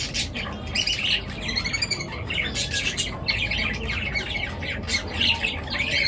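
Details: Birds chattering in the morning: dense, harsh squawks and chirps crowd together in quick bursts with hardly a pause, over a constant low hum.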